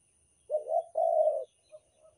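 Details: Single phrase of a Banten spotted dove used for luring: a wavering low coo rising slightly, then a longer flat mellow note, followed by two soft short coos, in quiet surroundings.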